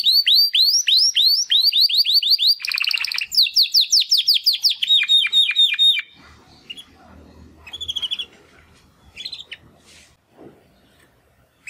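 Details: First song attempts by two Timbrado canary brothers after their first molt, born in the second breeding of 2020: rapid repeated downslurred notes and a buzzy burst, then fainter scattered chirps with quiet room noise.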